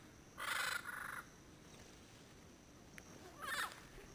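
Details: Endangered Yellow-headed Parrots, a pair in Caribbean pines at sunset, Payne's Creek National Park, Belize, late January 2012, recorded from roughly 100 yards on a GoPro; two harsh, grating squawk bursts, the first doubled, a few seconds apart over quiet background.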